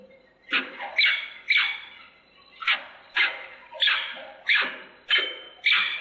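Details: Peregrine falcon in Włocławek, Poland, recorded on 15 January 2013: loud, harsh, grating calls given singly or in close pairs, about every half second, with a short gap early on.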